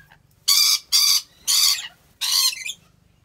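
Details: Four harsh, buzzy screams from a rainbow lorikeet housed in an animal park in Aceh Besar, Indonesia, each about a quarter to half second long and spaced evenly, against a quiet background hum.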